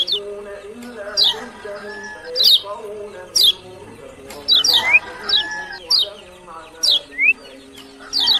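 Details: Kecial kuning (lemon-bellied white-eye) from Lombok delivering high, sharply falling notes at irregular intervals of about one second, sometimes doubled, with a layer of lower, steady tones behind.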